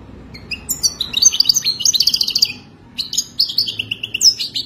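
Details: Wild Moroccan European goldfinch pouring out a wadani-style song: quick liquid twitters and trilled phrases, a brief break after about three seconds, then more bright chirping.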